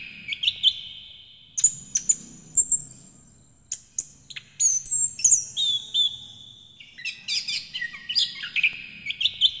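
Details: Kept orange-headed thrush in full, lively song, played to stimulate birds that have gone quiet; sharp high notes in clusters, then long strings of mixed whistles, slurs and chattering trills, with a faint low hum behind.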